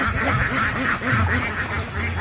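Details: Ducks swimming on a park lake quack in a steady, harsh chorus, several birds calling over one another in rapid nasal bursts.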